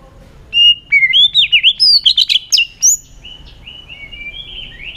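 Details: White-rumped shama in competitive many-voiced song: a fast string of clear looping whistles and sharp chips for two seconds, followed by softer drawn-out whistles fading away.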